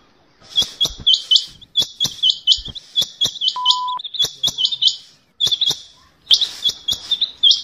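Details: Rain Quail giving high, metallic twittering notes in quick repeated bursts, with sharp clicks and one brief electronic beep; the recording is used as a sound for quail hunting.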